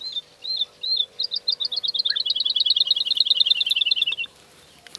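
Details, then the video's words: Soft song from a woodlark grooming its plumage: two or three separate sweet notes, then a long even trill of about twenty rapid, clear repeated notes that gently falls in pitch before stopping. "Woodlark brushes its feathers and sings softly"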